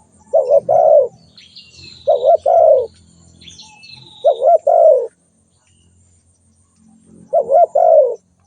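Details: Spotted dove calling steadily: four low coo phrases, each two quick notes and a longer note, spaced about two seconds apart. Faint high bird whistles and low background hum are also heard.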